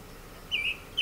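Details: Male song thrush (Turdus philomelos), breeding in orange groves at Sueca, Ribera Baixa, Valencia, Spain, where it sings from mid-January to about August, gives one clear, steady whistled note midway through and starts another at the end, over a faint hiss.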